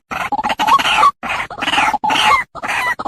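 A waterhen gives four harsh, croaking, grunting bursts in quick succession, each under a second, with a few brief metallic notes woven through.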